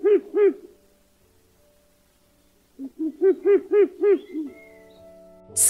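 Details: Ural owl, found in northern and central Europe: deep, rhythmic hoots, two at first, then after a pause a quick run of about seven evenly spaced hoots, followed by a faint tonal hum.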